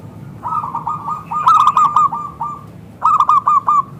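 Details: Rapid staccato cooing from a local zebra dove with a thick, clear voice, played as a lure so others respond; a run of quick notes, a louder bright burst, a pause, then four crisp notes, with low hum beneath.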